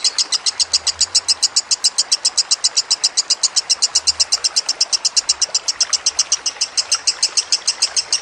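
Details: Lovebird singing for a songbird training recording, with trickling water: an unbroken, shrill, rapid chatter of high piercing notes, about four per second, held steadily for eight seconds over a soft watery hiss.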